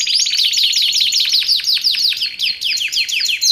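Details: Singing canary, used as training and luring audio: a rapid series of sharp descending whistled sweeps, several each second, over a continuous bright chattering trill.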